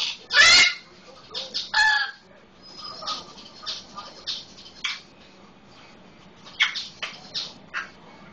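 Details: Solomon Islands Eclectus parrot kept as a pet, mimicking a red-lored amazon living in the same home: two loud raspy squawks early on, followed by a run of softer clipped chattering notes and quiet gaps.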